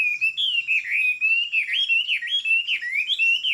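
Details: Tame Chinese hwamei with a fig-leaf-shaped tail singing in the high-perch style: a continuous stream of bright, warbled whistles that loop up and down in quick slurred phrases, with no pause.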